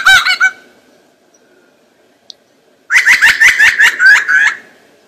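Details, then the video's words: Lyrebird imitating sounds to court the female: a short harsh harmonic burst, a pause with a faint click, then a rapid run of about eight loud, rasping, clucking notes delivered in quick succession. "The sound of a rabble harp imitates all sounds to court the female, rattle harp mating"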